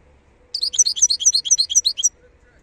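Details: Wild European goldfinch singing, recorded in 2022: a rapid, tinkling series of high twittering notes, about a dozen quick repeated elements over one and a half seconds, with a faint low hum beneath.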